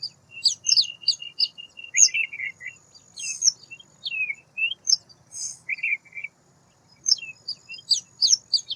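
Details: White wagtail chattering in fast, high-pitched phrases: a quick string of sharp chips, then downward slurs and buzzy notes, with one brief silent gap before the twittering resumes; faint low hum in the background.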